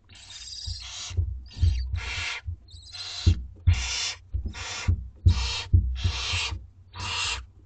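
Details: Two-week-old barn owlets begging at dinner time in a school garden nest: a run of harsh, breathy hissing screeches, each under a second, repeated steadily with a low rumble beneath.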